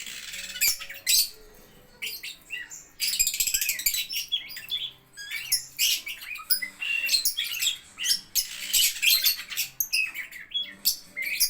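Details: Lovebird giving an irregular stream of harsh high chirps, squeaks and short chattering bursts over about eleven seconds, with faint low hum beneath.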